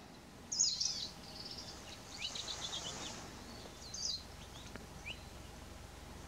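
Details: Male Palila foraging and preening on Hawaii's Big Island, 20 July 2015 at 7:12 am: two short, high, bright bursts of whistled chirps about three seconds apart, fainter chirps between, over steady hiss.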